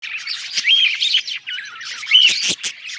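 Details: Happy budgerigar singing: dense, scratchy warbling chatter with rising and falling whistled notes and sharp clicks, continuous over three seconds.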